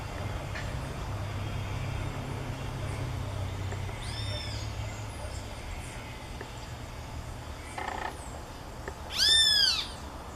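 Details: Bem-te-vi, the great kiskadee, calling loudly outdoors: one faint arched note early, then a strong, harsh, rising-and-falling call near the end, with steady low engine rumble throughout.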